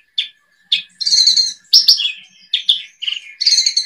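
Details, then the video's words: Javan bush lark in a 2022 tutor recording for kept birds: isolated sharp chirps, then buzzy chattering phrases and rich warbled trills, with faint low knocks underneath. "Kumpulan masteran burung branjangan"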